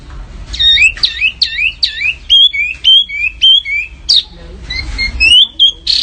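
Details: Small songbird in a masteran training recording meant for contest birds, labelled canary: loud clear whistled phrases, swooping notes that rise and fall, repeated in short groups with brief pauses, quiet background.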